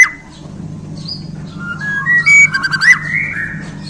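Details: White-rumped shama from Borneo, newly acquired, gives soft whistles that build into a quick burst of sharp clicking notes and a rising slur, over a low hum.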